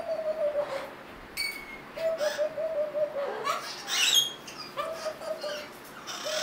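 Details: A happy, playful female hyacinth macaw at a parrot rescue gives soft, low hooting notes of about a second each, repeated every two seconds, with a few higher squeaky chirps in between.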